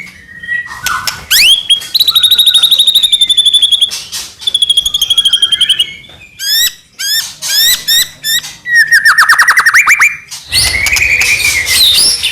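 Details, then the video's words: White-rumped shama singing to provoke other shamas: long rapid trills, sweeping upward whistles, bursts of steep chirps and a falling cascade of notes, with short gaps between phrases. "murai batu gacor AMPUH buat PANCINGAN murai batu agar bunyi"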